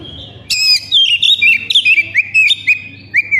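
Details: Oriental magpie-robin singing as a lure to prompt other magpie-robins: a dense run of sharp high notes and clear whistles stepping gradually downward, with a steady low hum in the background.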